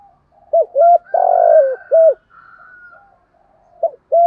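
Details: Spotted dove in the "hạp bổi" voice, full song of calling, urging and cooing. A short clipped coo, a long buzzy coo falling at the end, another short coo, then faint softer cooing, and two more brief clipped notes closing the clip.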